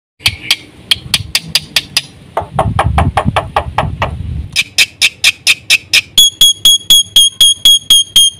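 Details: A black-winged myna singing actively with a full repertoire of fill-in phrases. Loud clipped notes repeat about twice a second. A lower, harsher stretch follows, then bright, ringing harmonic notes repeated in a steady series.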